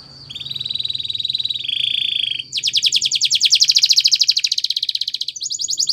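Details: Spanish Timbrado canary training song: a steady buzzing metallic trill shifting pitch midway, then a fast pulsing rattle of repeated notes over faint low hum.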